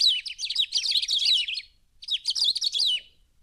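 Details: Bird of the Brazilian Cerrado singing a long, fast tumble of high, twittering, chattering notes, then falling silent for half a second before a shorter, similar burst; the recording is clean, with no background noise.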